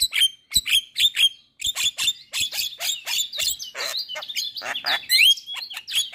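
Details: Sharp clipped chirps and bright whistled notes repeated in quick succession, mixed with harsher rasping bursts, from a Javan myna recording meant to get caged mynas singing again after stress, moult or going mute.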